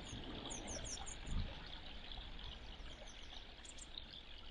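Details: Two grey wagtails fighting for territory utter a quick string of five or six high, sharp, down-curved notes at the start, then a few fainter calls, with constant stream noise.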